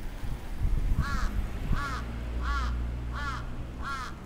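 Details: Attacking crow in Atsubetsu Ward, Sapporo, 27 June 2017: five hoarse arched caws evenly spaced about every 0.7 seconds, with low rumbling handling noise early on.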